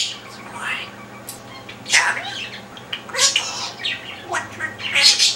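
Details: Parrot chattering from his perch, a string of short, harsh, speech-like bursts and squawks spaced unevenly, separated by quiet gaps, with a faint low hum behind.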